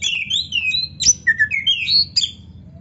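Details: Kacer, or Oriental magpie-robin, singing a string of varied whistles: smooth falling slurs, short level notes and a few sharper upward flicks, against faint low background noise.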